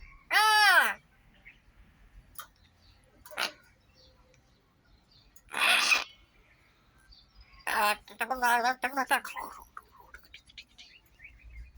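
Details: Myna bird talking: a loud harmonic call sweeping downward, then short broadband bursts, and near the end a wavering, strongly harmonic voice-like phrase, with quiet gaps between the sounds.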